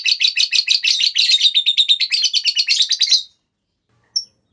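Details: Lovebird ngekek, a long clear chattering trill used as a lure to set other lovebirds singing. It is a fast run of buzzy high notes lasting about three seconds, then silence, then a single sharp click.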